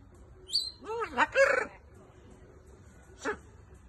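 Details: A blue-and-yellow macaw gives a quick run of harsh, bending squawks with a thin high whistle at the start, then one more short rasp after a pause.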